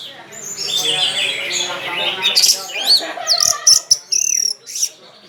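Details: Orange-headed thrush singing loudly: a dense, warbling run of high varied notes, then crisp separate whistles and clicks, ending in softer trailing phrases.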